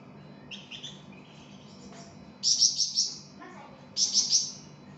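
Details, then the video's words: Song of a flamboyan bird, a tutoring recording for cage birds: soft high notes at first, then two short fast bursts of three or four piercing chirps each, with a brief lower twitter between them. "𝗯𝘂𝗿𝘂𝗻𝗴 𝗳𝗹𝗮𝗺𝗯𝗼𝘆𝗮𝗻 | 𝗳𝗹𝗮𝗺𝗯𝗼𝘆𝗮𝗻 𝗴𝗮𝗰𝗼𝗿 | masteran flamboyan"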